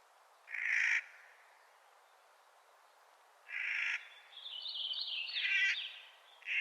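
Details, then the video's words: Clark's nutcracker calling in spring: two harsh, grating, drawn-out squawks about three seconds apart, then a longer rasping, chattering passage running into another squawk. "Clark's Nutcracker Calling in Spring"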